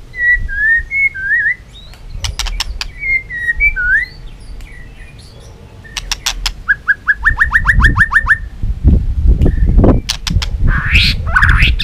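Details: White-rumped shama in a cage singing to stir other birds into contest singing: short whistled phrases, then a fast series of repeated rising notes like a trill, over low thumping and rustling noise.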